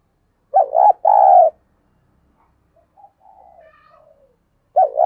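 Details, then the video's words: Spotted dove kept as a decoy bird, calling to provoke wild doves: a broken double coo followed by a faint, softer trailing murmur, then a new phrase starting near the end; no other sounds. "Tiếng Thúc Chim CU Gáy Sung - Kích Bổi Nhanh Nổi"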